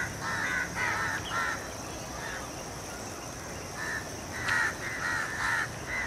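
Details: House crows (Corvus splendens protegatus) in Colombo, Sri Lanka, 28 February 2014, giving harsh, nasal caws in short irregular bursts, several birds overlapping against a steady background hiss.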